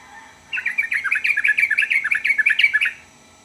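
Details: Sooty-headed bulbul singing a lively run of short chirpy notes, about a dozen quick rising-falling phrases in under three seconds, bright and mid-high pitched, after a faint lower note.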